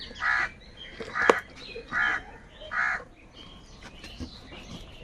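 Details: Crows calling in the morning, several birds present: four harsh, nasal caws spaced a little under a second apart, then fainter high chirping from smaller birds in the background.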